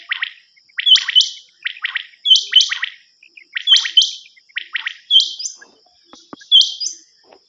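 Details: Common quail calling on a hunting cassette: paired sharp chirping bursts, each followed by a thin, higher squeaky note, repeated at a steady pace over a constant faint high whine.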